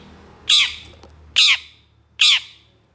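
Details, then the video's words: Long-tailed shrike, mimicking other species: three harsh, grating squawks spaced under a second apart, loud against a quiet background. "KICAU CENDET GACOR EMOSI CEPAT DI RESPON PENTET JENIS LAIN, MASTERAN CENDET FULL TEMBAKAN KASAR"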